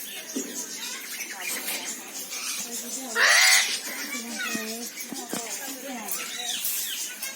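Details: Eclectus parrot uttering a single loud, raspy squawk midway, with quieter chatter and scattered clicks before and after.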